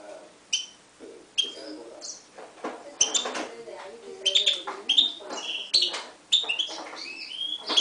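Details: Himalayan goldfinch × timbrado canary mule from 2011: sparse chirps at first, then a quicker run of bright whistled and twittering notes, with low background sounds.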